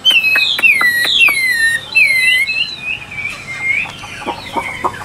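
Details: Chinese hwamei singing loud, clear whistled phrases that slide downward, several slurred notes in quick succession, then softer warbling fragments and a few clicks toward the end.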